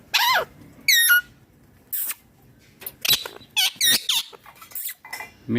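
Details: Ringneck parrot screeching loudly: two strong harsh calls at the start, then a rapid run of shrill, rasping squawks in quick succession, pausing briefly between bursts.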